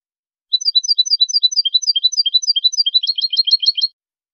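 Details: High-quality training recording of European goldfinch song. A long, lively series of sharp, high twittering notes, repeated in even pairs, ends in a dense, buzzy tangle of rapid chirps over silence.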